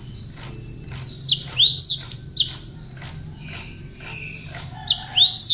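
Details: Cinereous tit song with bar-winged prinia notes, tutor material for training other songbirds: loud, high slurred whistles and sharp chirps in clusters, some swooping down, over a steady wash of distant twittering.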